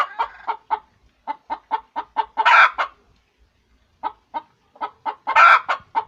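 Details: A hen laying an egg gives steady, evenly spaced staccato clucks that build into a loud grating squawk. A short pause follows, then another cluck series ends in a second squawk.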